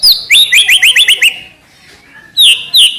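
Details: White-rumped shama giving a sharp upslurred note, then a fast run of seven clipped descending chirps, a pause, and two more high slurred whistles.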